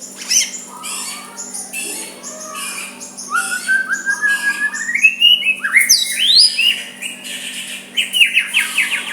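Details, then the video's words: White-rumped shama singing softly to goad a rival into counter-singing: quick chips give way to flowing rising whistles and rich warbled phrases, with a faint steady hum beneath. "Murai batu suara lembut cocok untuk MEMEKAT lawan ikut emosi dan saling balas"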